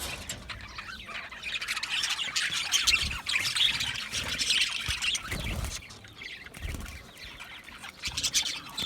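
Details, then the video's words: Australian budgie parakeets chattering together, a busy mix of squeaky chirps, short whistles and harsher squawks forming a steady flock babble that swells and fades over several seconds. "Budgie parrot chirping sounds"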